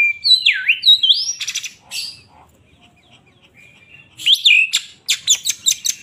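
Oriental magpie-robin singing loud, swooping whistles mixed with harsh buzzy bursts; after a brief lull it ends with a rapid run of sharp, clipped notes.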